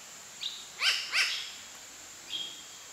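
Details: New Caledonian crow giving two harsh, nasal alarm calls about a third of a second apart, with two thin, short whistled notes before and after, alongside vigilance behaviour and beak-wiping.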